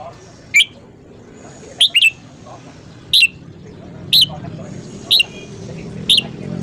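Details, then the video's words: Short, piercing whistled notes from a red-whiskered bulbul in the morning, repeated roughly once a second, some doubled, over a rising low background rumble. "luyện giọng chào mào hót sáng"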